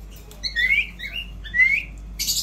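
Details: Two bright, smoothly rising whistled notes from an Indian ringneck parrot praised as a talker, ending in a brief harsh hiss.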